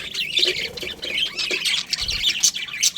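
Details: Budgerigar colony chirping: warbled, squawky notes from several birds at once, with a few sharp high squeaks and a faint low thump near the middle.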